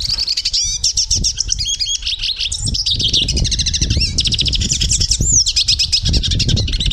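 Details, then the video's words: Portuguese European goldfinch singing: a fast, continuous, tinkling twitter of high chirps, trills and sweeping whistled notes, with low thumping noise underneath. "Canto de pintassilgo - canto de pintassilgo português . o belo canto da voz do pintassilgo"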